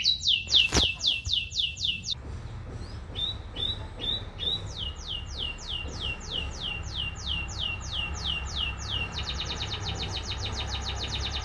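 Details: Singing canary against constant low background hum; long series of rapid downslurred whistles repeated about four per second, speeding into a faster even trill near the end.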